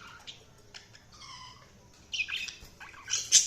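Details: Budgerigar chirps: a steady whistled note with stacked overtones, followed by quick scratchy rising and falling chirps that grow louder toward the end, over soft background hum.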